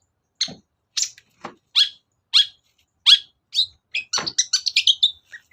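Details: Long-tailed shrike lure sound to stir silent birds into song: loud downward-swept notes repeated about every half to one second, then a rapid tumbling run of mixed chirps and whistles.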